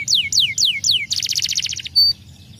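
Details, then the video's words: Canary song meant to stimulate other canaries: four loud descending whistled sweeps, then a buzzy rapid rattle of stacked pulses, ending in a short sharp high note. "Instantly stimulating the sound of a canary"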